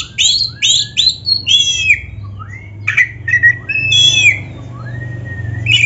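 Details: Oriental magpie-robin of the black-breasted type, recorded as 'gacor' song to prompt caged kacer birds: fast rising whistles in a quick series, then slower liquid upslurred notes over a low hum.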